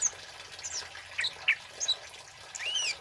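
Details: Male kemade flowerpecker singing, used as a lure and as a tutor recording for other birds. High thin chirps and short sliding whistles come at irregular intervals, ending in a longer rising-falling whistle, over steady background hiss.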